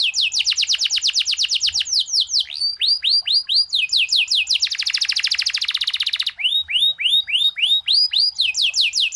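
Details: Singing canary for master training, with varied phrases: series of descending whistled sweeps, a fast dense rolling trill in the middle, then more repeated downward slurred notes.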